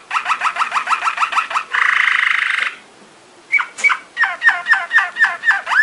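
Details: Belgian Malinois Waterslager canary training song: a series of quick swooping chirps and a dense buzzing roll, then after a pause, separate drip-like notes rising into a rhythmic string of swoops.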